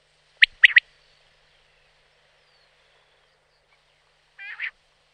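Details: Common quail in the wild: one sharp, clipped three-note phrase, then near-silence and a soft, nasal, buzzy note about four seconds later. No other sounds.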